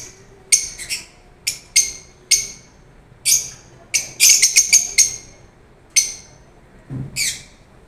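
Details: Lovebirds uttering short piercing squeaks at irregular intervals, with a quick run of four or five shrill notes near the middle and a soft low thump near the end.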